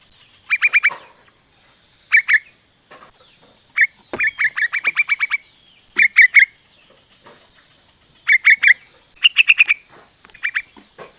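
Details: Female sooty-headed bulbul calling a male, used as a lure for males. Lively groups of rapid, bubbly notes, some runs of seven or eight, alternate with short pairs and brief quiet gaps.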